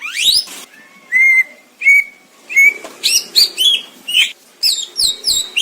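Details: Greater green leafbird song, recorded in the wild in Indonesia: a clear tutor recording of varied short whistles, some flat and some rising steeply, given in quick separate phrases with brief pauses between them.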